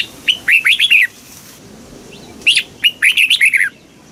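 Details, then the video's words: Southern master-style song of a caged red-whiskered bulbul in Thailand, played to rouse caged birds and train young birds. Two lively phrases of five to seven chirpy, downward-sliding whistles, separated by about a second and a half of silence. "เสียงนกกรงหัวจุก สำหรับต่อ หรือ เปิดให้นกคึก"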